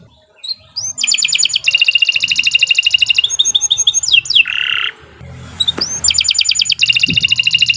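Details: Canary singing at length for training young birds: rising whistles, long rapid trills, a brief buzzy drop, short pause, then whistle and trill again; soft low background noise.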